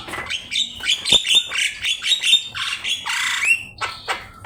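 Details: Javan myna singing continuously as a training master for songbirds: dense harsh chatter broken by squeaky whistles, with a long buzzy rasp near the three-second mark and sharp clicks to finish.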